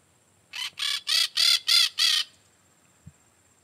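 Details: Peach-fronted parakeet, Eupsittula aurea, delivering six rough, rasping screeches at a steady pace of about three per second, followed by a faint soft thump.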